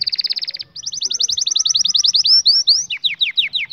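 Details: Canary song played for training young canaries: a fast trill of high repeated notes, a brief pause, then a long rolling series of slurred notes that ends in quick descending whistles.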